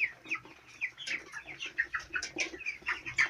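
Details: Flock of four-week-old farm chicks giving dense overlapping peeps, short downslurred and rising chirps several per second, a faint low hum in the background.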